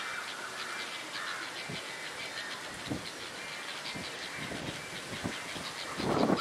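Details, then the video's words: Red-vented bulbuls (Pycnonotus cafer), common locally, giving loud, short, bright chirping notes repeated quickly in a loose chatter while moving their wings, possibly to frighten an enemy, over low thumps and a brief rush of noise at the end. "Red vented bulbuls' call"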